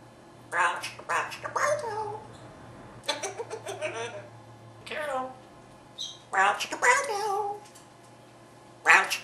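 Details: Pet parrot indoors practicing a newly learned phrase, "brown chicken brown cow", in several separate voice-like bursts of rasping, speech-patterned syllables spaced a second or two apart, with a steady low hum in the background.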